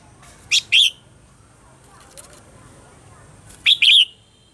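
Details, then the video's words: Red-whiskered bulbul morning song in a mature wild-style voice, a lure for training caged birds: two bright warbled two-part phrases about three seconds apart, with a faint soft chirp between them. "Luyện giọng cho chào mào hót sáng, chào mào hót giọng già rừng hay tuyệt"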